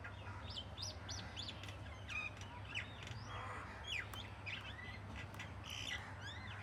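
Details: Birds singing in the morning: several overlapping chirps and quick rising and falling whistled sweeps, high and bright, coming in bursts throughout, over a steady low hum.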